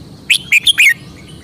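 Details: Caged red-whiskered bulbul from Thailand performing its characteristic song phrasing: a single quick run of four loud, bright, slurred whistled notes.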